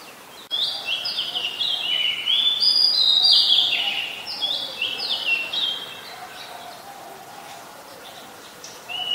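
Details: An Oriental magpie-robin sings in Ubon Ratchathani, Thailand, on 26 July 2022: a rich, varied run of clear whistled phrases, rising and falling, several notes each second, over quiet background hiss.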